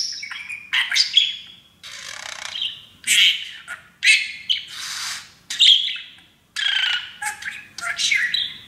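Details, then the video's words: Pet parakeet repeating favourite taught phrases like "Auzzie's a baby bird"; a long sequence of hoarse, buzzing phrases and chirps in irregular bursts, quiet room. "Auzzie the TALKING Parakeet!!!"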